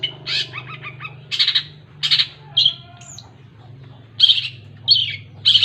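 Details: Long-tailed shrike singing in short bursts: harsh chattering notes near the top of its range alternate with a few thin whistles and a low warbled phrase, separated by brief pauses over a steady low electrical hum.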